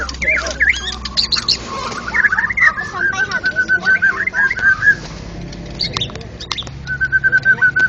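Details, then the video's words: White-rumped shama, a national champion contest bird, singing in the clear open ngeplong style: whistled, warbling phrases rising and falling, ending in a steady level whistle, over a low background hum. "burung berkicau Murai Batu Ngeplong gacor Juara Nasional"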